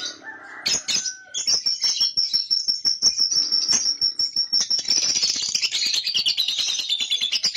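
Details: Young lovebird in ngekek, its long chatter played as a lure. A brief squeak leads into a sustained thin, high whistled trill, which then turns into a dense, fast, grating chatter of many rapid notes.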